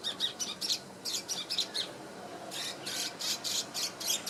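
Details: In Singapore in 2017, a preening swiftlet-like bird chirps: sharp, hissy, high notes in clusters, a brief quieter gap, then a denser rhythmic series of rough buzzy bursts about four per second.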